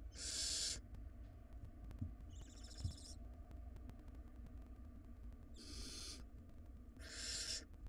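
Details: Wild barn owl nestlings in a monitored nest box, pulling against each other in a tug-of-war over a very large rodent. Three harsh, broadband hissing screeches of under a second each, one shorter tonal squeal between them, and a steady low rumble underneath.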